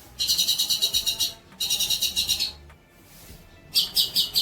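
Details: Long-tailed shrike tutor song for young birds: three bursts of harsh, rapidly pulsed buzzy trill, each about a second long, separated by brief quiet gaps.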